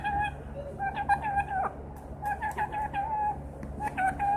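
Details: Green parrot, a singing and talking household bird, giving steady level whistles broken by short chattering notes and clicks, over a low continuous hum.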